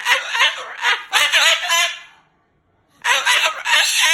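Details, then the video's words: Cursing Moluccan cockatoo, cross about its owner sleeping over. Fast raspy chatter stops for about a second of silence, then resumes just as loud. "He's talking and cursing LOUD and funny"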